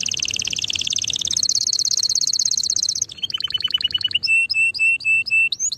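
A canary sings a fast, high trill that shifts into separate chipping notes, then clear whistled and buzzy phrases, all bright and high-pitched.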